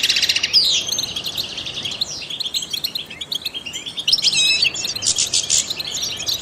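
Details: Trained goldfinch giving fast high song, opening with a rapid trill, then twitters and a run of quick repeated buzzy notes near the end.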